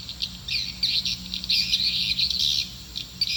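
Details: Calling swiftlets meant to draw birds into a nest house: a nearly continuous stream of shrill, buzzy chirps and trilled twitters, densest in the middle, with a faint low hum.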